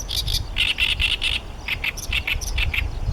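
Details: Great reed warbler, a male singing from his favourite song-post to defend territory, Heijo Palace site, Nara City, Japan, 14 May 2013: harsh, chattering phrases of repeated grating notes in quick bursts, with strong wind rumble throughout.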